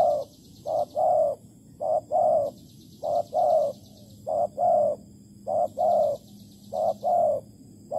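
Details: Spotted dove cooing at a bird trap set with bare bait in Malaysia, 11 August 2020: steady mellow phrases, each a short hoot then a longer, fuller coo, repeated about every 1.3 seconds, with intermittent faint high-pitched buzzing in the background.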